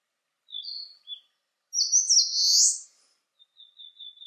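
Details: Eastern crowned warbler in fine 19 °C weather: two short high notes, a loud buzzy ascending phrase, then a faint thin high trill.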